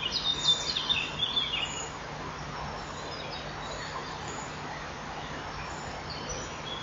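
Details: A male common kingfisher calls from outside the nest at 06:48 on 3 June 2015 while the female lays her fourth egg: a quick burst of thin, shrill, high whistles in the first two seconds, then steady low hum.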